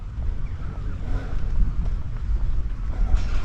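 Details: Heavy wind rumbles across the microphone in swelling gusts, with no animal heard.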